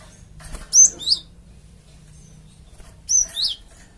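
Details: Java sparrow luring call used to get flock birds to answer: two paired high chirps, each pair a bright whistled note followed by a buzzier downslurred one, about two seconds apart.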